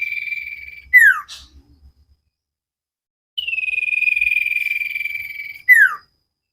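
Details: Common iora on a cage-bird training recording: trilled whistle and falling slur, a few faint clicks, a pause, then a drawn-out trilled whistle that drops slightly and ends in another downward slur.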